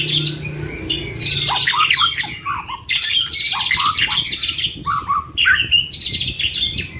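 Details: Two white-rumped shamas with a full song repertoire used to coax other birds. Dense, slightly harsh warbling with scratchy trills and dipping notes in repeated bursts, over a faint low hum.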